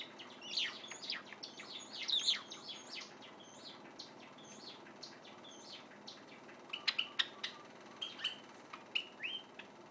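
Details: Half-grown white Java sparrow, a caged pet practising song while secretly filmed: a dense run of rapid high chirps and clicks, a lull, then a second burst ending in short level whistled notes.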